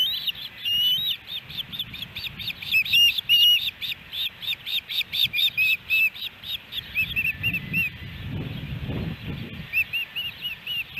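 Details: Nesting ospreys filmed by a nest camera in Hellgate Canyon, Missoula, Montana, July 13, 2018, on a three-fish day; bursts of shrill, slurred chirps run together, then pause and resume in shorter runs over low traffic-like rumble.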